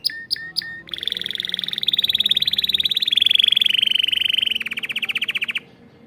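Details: Canary kept in a breeder's aviary room opens with three sharp high chirps, then rolls into a long, fast, buzzy trill that steadies into pulsed repeated notes before cutting off.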